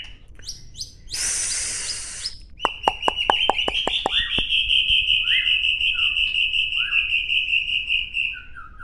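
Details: Captive White-rumped shama, a bird caught as a chick in 2019 that has moulted once, singing at a group training session in Gayo Lues, Aceh: a loud buzzy burst, rapid clicking notes, then a long steady high whistle with short slurred notes.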